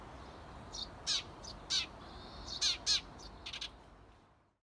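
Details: Eurasian tree sparrow parents outside a nest box, urging their 17-day-old nestlings to fledge after two weeks inside: short, sharp, high chirps in irregular bursts, about ten over four seconds, some paired, over a soft low rumble.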